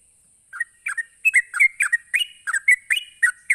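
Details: Sooty-headed bulbul, 'ropelan' rapid song used to goad other bulbuls into replying. After a brief pause, a string of liquid, warbled two-part notes comes thick and fast, roughly three a second, with a constant thin high hiss behind.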